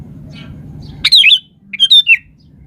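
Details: Two quick liquid phrases from a lively 'gacor' sooty-headed bulbul follow one another within a second. Each has a few bright up-and-down notes, and a faint hum runs underneath.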